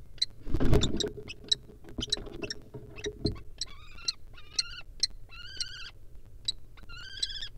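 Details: Courting wild common kestrels in a barn owl nest box give sharp high chips, then several shrill rapid trilled kee-kee phrases in quick succession, with some thumping and rustling from the box early on.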